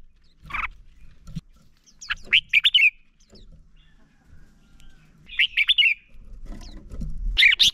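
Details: Decoy song of a red-whiskered bulbul for training other bulbuls to sing: a sharp note, then two phrases of rapid rolling whistles several seconds apart, ending with another burst, over soft low rumbling.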